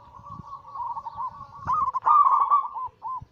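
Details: Perkutut, or zebra dove, giving anggungan song meant to spur other doves to sing. A quick bubbling run of cooing notes builds into a louder, richer trill before ending in a short final coo.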